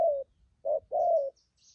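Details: Wild-caught spotted doves in Vietnam, praised for good voice in the fast 'thúc gù' cooing style. Three low, hollow coo notes: a long gliding note, a short pause, then a short and a long note together, in silence.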